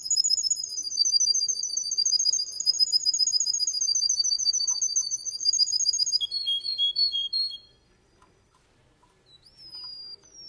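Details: Male Russian canary delivering a long, shrill rolling trill that shifts into a slower lower run of notes, followed by silence and one rising whistle.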